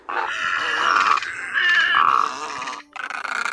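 Great Egret giving harsh, grating croaks: three drawn-out rasping calls of about a second each, then a shorter one, with no other sounds.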